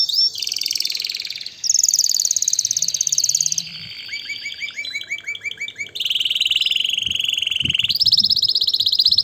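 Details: Canary in full song, used to stimulate mating: a chain of varied high trills, each tour at a different pitch and speed, some buzzy, some rolling, with occasional low knocks.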